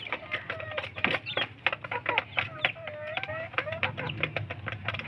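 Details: Young kampung chickens squabbling over feed give many clear cheeps, some rising and looping, others flat and drawn out, layered with quick pecking clicks and a faint low hum.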